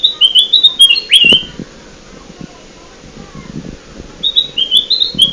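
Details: Bulbul (kutilang emas) trapping lure: a bright run of high whistled notes ending in a swooping slur, then a quiet gap with soft clicks and rustles before the phrase starts again.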